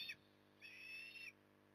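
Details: Osprey feeding in the evening at Port Lincoln, Australia, on 9 October 2020: a short high note, then a sustained, slightly wavering whistled call lasting under a second.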